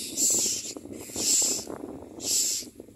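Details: Common myna chick begging while a parent feeds it: three loud, harsh hissing bursts, each lasting about half a second and spaced roughly a second apart, over a low murmur of background noise.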